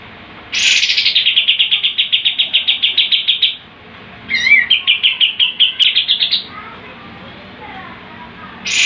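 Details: Sooty-headed bulbul, a lively champion tutor bird, firing off a long tembakan burst of some twenty rapid sharp notes over three seconds, then a shorter rising run of pulsed notes, with a fresh burst starting at the end.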